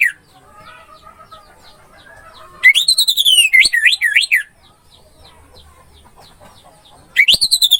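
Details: Anis merah (orange-headed thrush) masteran song: after a faint start, a loud phrase of fast looping whistled notes rising and falling for nearly two seconds, a quiet pause, then another phrase begins.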